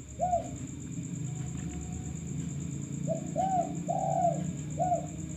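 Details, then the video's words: Male spotted dove kept as a lure bird gives a single short coo, then after a pause a full phrase of three soft arched coos rising and falling, against a low rumbling background and a thin steady high tone. "Pancingan derkuku kuk 1"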